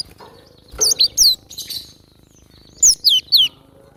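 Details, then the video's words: Wild cinereous tit singing actively: two short bursts of three high, thin, downslurred whistled notes each, the bursts about two seconds apart with quiet between them. "Super gacor burung glatik batu liar"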